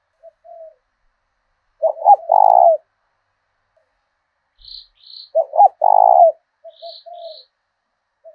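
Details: Decoy spotted dove singing in the thổ đồng style of southern Vietnam: two loud phrases of stuttering notes into a sustained throaty coo, about three and a half seconds apart, with soft coos between and faint high chirps from another bird.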